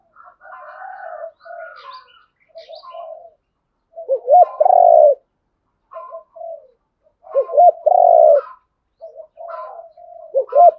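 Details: Spotted doves, male and female, calling to provoke a rival dove into fighting; low, soft hooting coos in short phrases, some rising into a louder, emphatic double coo, repeated several times over ten seconds, with a faint higher chirp early on.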